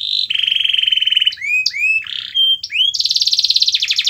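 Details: Canary song, played to prompt a quiet, reluctant canary into singing: dense buzzy trills at a fast pulse, then a run of upward-slurred whistled notes and a short steady tone, ending in a long rapid rolling trill.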